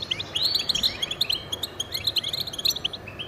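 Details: Song of a male European goldfinch, sung to hold territory and attract mates: fast run of sharp high chirps and twittered phrases with a few rising slurred notes, steady throughout.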